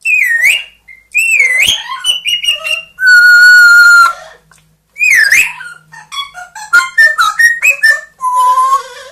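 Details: Two pet parrots, Coco, a 2-year-old grey parrot, and Gribouille, a 1-year-old Amazon, run through a quick medley of mimicked sounds and talk: swooping whistles, a long steady tone, rapid clipped syllables and harsh, nasal squawks in bursts.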